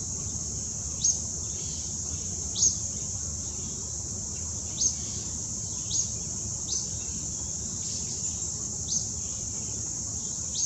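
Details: A juvenile Acadian flycatcher on the Wetmore Valley trail, Cuyahoga Valley National Park, Summit County, Ohio, on August 26, 2017, gives sharp, rising peet notes at irregular gaps of one to two seconds, over a steady high insect drone.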